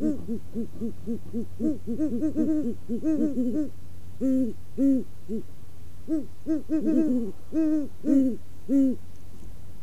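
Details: A courting Great Horned Owl pair duets on a perch in Waukesha, Wisconsin, in deep soft overlapping hoots: the male gives four hoots, the female's song is higher and more complicated, over a steady low hum.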